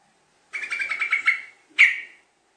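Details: Sooty-headed bulbul lure song with long, rapid 'ngekek' chattering. A one-second run of quick, even, bubbly notes gives way to a single sharp, bright note in near-silent surroundings.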